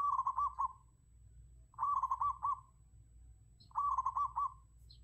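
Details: Zebra dove used as a decoy bird, giving three rapid rolling phrases of four or five short coos each, spaced about two seconds apart, over a low steady hum.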